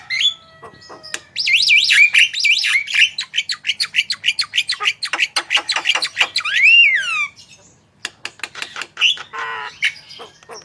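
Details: Javan myna singing energetically, recorded as a master track to prompt other birds to sing; a fast, varied run of squawky, wavering whistles and sharp clicks at about three notes a second, with a long slurred whistle and a brief pause near the end.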